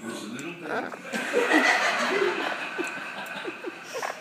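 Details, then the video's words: Captive 35-year-old double yellow-headed amazon parrot laughing along at a comedian on television; short repeated hoarse chuckling notes over the comedian's speech and audience laughter. "Laughing at Lewis Black"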